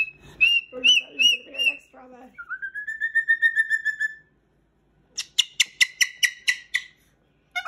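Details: Pet Moluccan cockatoo indoors, singing while playing: repeated harmonic notes, then a long sustained rising whistle, then a fast run of about eight sharp bright notes, with brief human speech.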